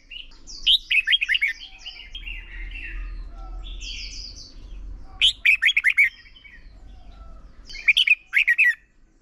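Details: Caged Red-whiskered bulbul singing as a contest lure bird for training: three separated bursts of quick, bright, slurred whistles, each about a second long, with a soft low background hum between them.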